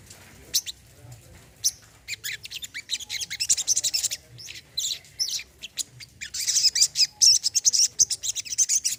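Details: Brown-throated sunbird used to stimulate a bird that no longer sings: uneven high chirps build into a fast, dense twittering at the end, notes repeated about twice a second.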